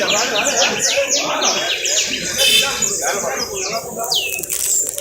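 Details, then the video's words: Canary trill: rapid series of clear, downward-sweeping whistled notes repeated about twice a second, bright and high, with some rougher buzzy bursts midway, over a steady low background murmur. "trino de canario"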